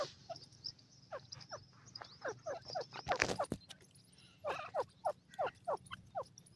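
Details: Dakhni fighter partridge pair kept in an arrow cage, giving quick repeated short upward-sweeping notes, several per second, broken by a loud rattling clatter midway, over a steady low hum.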